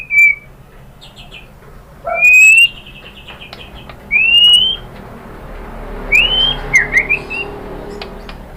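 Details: White-rumped shama lure song: sparse clear whistles, a few brief upward-slurred notes separated by pauses of about two seconds, over a faint background hiss and soft chatter.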